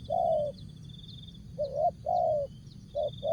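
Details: Spotted dove singing a short jergot phrase: mellow coos, one long level coo, then a rising note into a drawn-out falling coo, over a constant high trilling buzz and low background hum.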